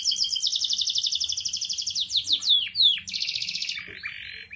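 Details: Canary singing continuously, a recording meant to coax silent canaries into song: a long fast trill of repeated notes, then a few loud sweeping whistles sliding downward, then another rapid rolling trill.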